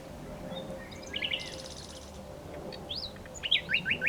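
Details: A nightingale gives a brief buzzy rattle, then a pause, a rising whistled note and a quick series of bright repeated looping notes.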